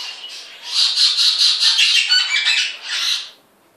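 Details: Pair of mulga parrots calling together; a rapid stream of scratchy, harsh chattering squawks, about three seconds long, fading out into quiet at the end.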